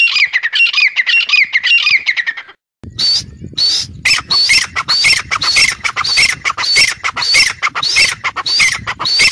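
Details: Forest quail lure: rapid series of coarse, squawking notes, about two per second, pausing briefly before resuming over a low rumbling background.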